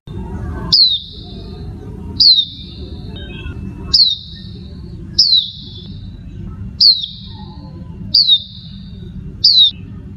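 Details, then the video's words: Female Oriental white-eye giving seven short, thin, high notes, each sliding sharply downward, repeated roughly every one and a half seconds against a steady low rumbling background hum. "SUARA PLECI BETINA"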